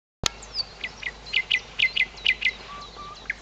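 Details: Birdsong in Tykocin, Podlasie, Poland: a series of short bright chirped notes around mid-high pitch, repeated about twice a second, with a few low soft whistles near the end over faint background noise.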